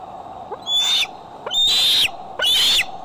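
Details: Bald eagle calling at Decorah, recorded by an eagle cam on July 6, 2011: three loud, high whistled calls, each opening with a quick upslurred note, then a sustained shrill note, about one per second, over low hum.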